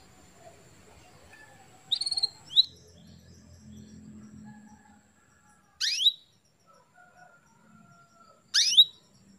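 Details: Female canary giving calls to stimulate a male to breed: short, high, sharply downslurred chirps, singly or in pairs, separated by several seconds of near quiet with a faint low hum.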